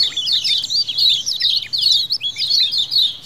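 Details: Lemon-bellied white-eyes calling as a colony, in a wild-style recording used as a lure: dense, overlapping high chirps and short downslurred 'ciak' notes, almost continuous, with a faint low hum underneath.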